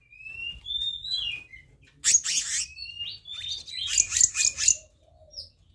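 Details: Black-naped monarch: clear sliding whistles open the clip, rising then falling. Hoarse buzzy notes follow, then a quick string of four rasping chirps and a final faint whistle.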